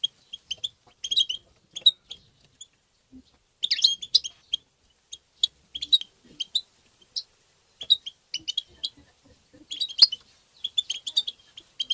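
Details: European goldfinch twittering meant to spur goldfinches into song: irregular bursts of bright, high chirps and short trills spread over twelve seconds, with brief pauses and a single click near ten seconds.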